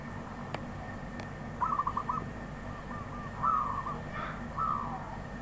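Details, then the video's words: A wild zebra dove sings faint, rapid trilled cooing phrases, three short bursts of quick staccato notes over low background rumble and a steady hum. "Perkutut Liar"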